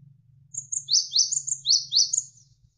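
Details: Javan sparrow, tutor recording: one compact phrase of about six crisp high chips, each sweeping down sharply with a thin ticking note above, over a low steady murmur of running water.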